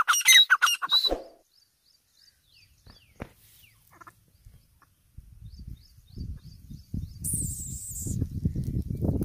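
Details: A silver francolin (teetar) gives a loud, harsh burst of calls for about a second, then faint ticking notes, with rumbling wind and handling noise later.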